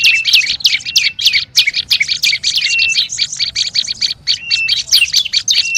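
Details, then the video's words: Noisy olive-backed tailorbird calling used as a lure: loud, rapid, scratchy chips with frequent flat and slurred whistles, a steady busy rhythm throughout. "SUARA PIKAT BURUNG PRENJAK LUMUT RIBUT"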